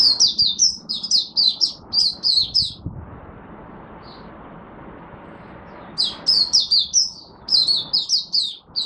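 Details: Singapore Oriental white-eye performing buka sing (opening song) on a humid, warm, rainy, overcast 23 March 2023: fast high twittering phrases, a three-second near-silent gap with one soft note, then twittering resumes.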